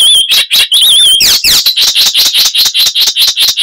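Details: Song of an Icterine warbler, a loud bird known for varied chatter and mimicry: clear wavering whistles open, then a fast run of repeated scratchy notes, roughly two to three per second.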